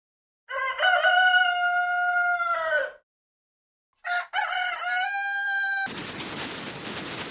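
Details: Rooster giving a long, loud crow with a sustained, slightly falling held note, then after a short silence a second crow that runs into a burst of broadband noise.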